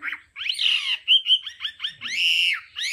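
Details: Hwamei song of the varied 'đảo âm' style used for voice training: long rich slurred whistles alternating with short quick notes, loud and full, in a brief phrase.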